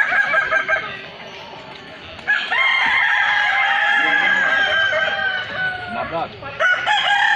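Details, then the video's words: Crowing festival of Balenggek chickens in Kota Solok: a quieter start with distant calls, then a loud chorus of overlapping roosters in drawn-out, multi-step crows that hold for seconds, easing and swelling again near the end. "festival ayam kukuak balenggek"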